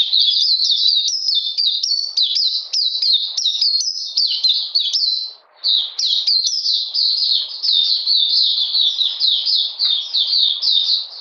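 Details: During cold rainy weather on 13 June 2020, an Oriental magpie-robin pours out fast, high warbled phrases of whistles and chirps, pausing once briefly before resuming an equally continuous, rhythmic stream.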